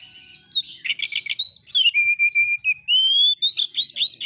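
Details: An Oriental magpie-robin sings against a rival: rapid buzzy notes at first, then a long steady clear whistle, followed by rising and falling whistled phrases, with a quiet background.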